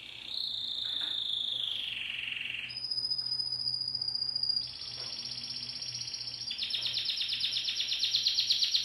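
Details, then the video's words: Timbrado canary singing: a sliding whistled trill that drops in pitch, then a thin steady piping note, then two buzzy rolling trills, the last pulsing rapidly and growing louder. "تغريد كناري التمبرادو"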